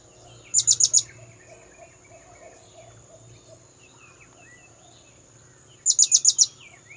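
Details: Call of the blue-crowned hanging parrot used as a bird lure: two shrill trills of four or five high pulses five seconds apart, with faint chirps of other birds and a low hum between.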